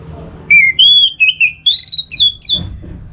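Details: Orange-headed thrush song used to provoke other birds to sing in the morning: a string of clear, loud whistled notes, some sliding up and down, others wavering, in a short phrase.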